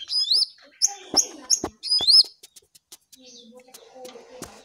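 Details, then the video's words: Lesser shortwing (cingcoang coklat) giving a short run of bright, rising whistled phrases repeated three times, then trailing off into quiet, scattered ticks. "Jongkangan/Cingcoang coklat paling gacor"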